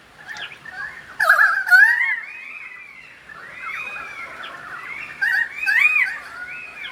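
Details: Pied currawong singing in the rain in Sydney: rich, fluting, gliding whistles that rise and fall in long warbled phrases, with a couple of louder bursts and a soft background hiss.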